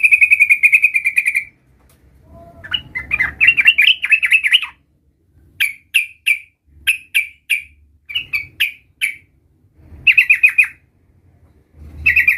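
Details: Sooty-headed bulbul (trucukan) in full voice, learning its rolling 'ngerol' song: a sustained buzzy trill, a jumbled warbling burst, then a string of short ringing notes roughly twice a second, ending with another brief trill.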